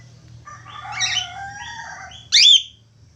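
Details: Budgerigar in full song: a soft, rolling warble of stacked buzzy notes, cut off by one loud harsh rasping squawk near the end.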